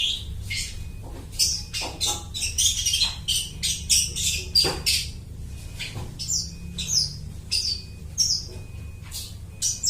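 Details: Long-tailed shrike's imitative song, mimicking other birds, used as bait for bird trapping; fast irregular run of harsh buzzy notes and sharp chips, with a faint steady tone in the background.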